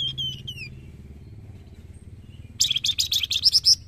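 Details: White-rumped shama song used to prompt other birds to sing: a few high rising whistles, a pause, then a loud burst of rapid repeated buzzy notes ending in sharp whistles, over a low engine hum.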